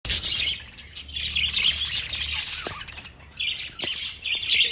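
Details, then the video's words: Lovebirds chirping in dense, overlapping bursts of high, harsh twittering notes, with brief pauses around the middle and clicks in between. "Love Birds Sound Relaxation"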